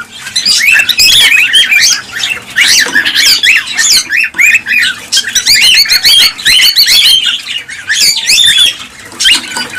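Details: Noisy cockatiel calls aimed at stimulating breeding: dense, harsh squawks and whistled upslurs from many birds, almost unbroken for the full stretch.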